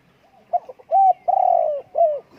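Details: Spotted dove call: two short clipped notes, a level coo, a long drawn-out falling coo, then a final shorter coo, clear and isolated.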